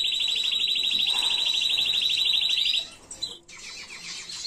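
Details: Canary tutor song without errors, intended to teach young birds, recorded in 2022: a loud, rapid, even trill of high repeated notes lasting nearly three seconds, then a short pause and a softer, quicker rolling phrase.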